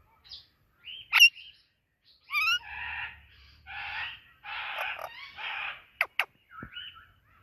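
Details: Indian ringneck and Alexandrine parakeet chirping together: scattered squeaky whistles, then a run of four harsh raspy squawks, followed by two sharp clicks and a soft trailing chatter.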